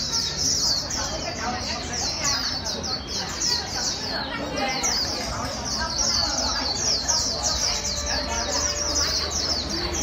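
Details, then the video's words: Fast líu song of a white-eye, the bird being pushed to warble quickly: rapid, high-pitched chirping runs on without pause above a low background of speech and noise. "Kích chim vành khuyên bổi mau líu"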